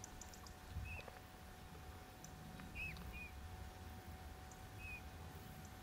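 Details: Soft, mellow piping notes of a Eurasian bullfinch, recorded by digiscoping during the day's hottest hours: four brief descending whistles, two close together near the middle, with faint clicks and a low constant hum behind.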